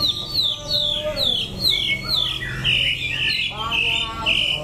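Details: White-rumped shama recorded in Daklak, Vietnam, in September 2015, giving a series of bright descending whistles in quick succession, then lower slurred phrases and sustained high notes, over a low background hum.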